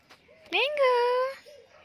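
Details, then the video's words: Pet talking parrot indoors producing one drawn-out, tonal, speech-like utterance with a sharp onset that then holds level, preceded and followed by faint room noise. "Funny Talking Parrot"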